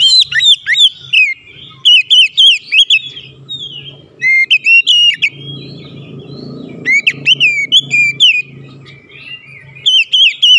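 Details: Oriental magpie-robin trading challenges with a rival, giving clusters of sharp, swooping whistled notes in loud bursts every couple of seconds, over a low hum and soft background noise.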